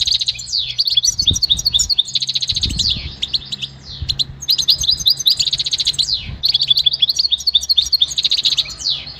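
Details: Goldfinch training song: three long phrases of rapid, liquid twittering with buzzy trills and descending slurred notes, separated by short gaps, soft low thumps in the background.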